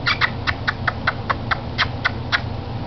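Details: Pet male cockatiel (Nymphicus hollandicus) in his cage indoors making a quick run of smacking mimicked kiss sounds, several each second, over a low indoor hum; a trick his owner taught him.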